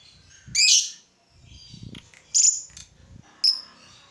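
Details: Lovebird singing meant to provoke other lovebirds into full song: three separate sharp, high squeaky chirps spaced over several seconds, with quiet low background noise between them.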